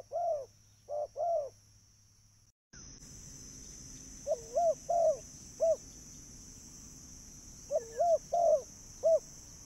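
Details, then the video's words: Spotted dove lure recording: sparse groups of two or three soft low coos separated by pauses, with a brief silent cut and steady background hiss and a high tone. "burung tekukur suara mp3"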